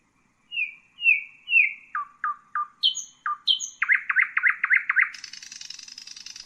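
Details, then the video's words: Common nightingale: three level whistles, three down-slurred notes, two high notes, then seven rapid repeated notes and a long buzzing rattle at the end. Clear recording without background noise. "Common nightingale,beautiful birdsinging"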